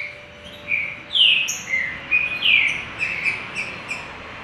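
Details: Green-winged saltator giving short clear whistled notes, several loud slurred phrases with thin high tones above, over a steady background hiss.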